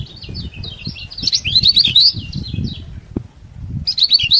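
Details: Kecial kuning, the lemon-bellied white-eye, singing energetically to provoke rival birds: rapid high chattering twitters running for three seconds, a short pause, then another burst, over low rumbling background noise.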